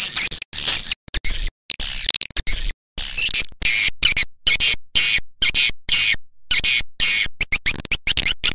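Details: Swiftlet lure call played to attract swiftlets: a steady run of harsh, high chattering bursts, about two per second, broken by short silent gaps.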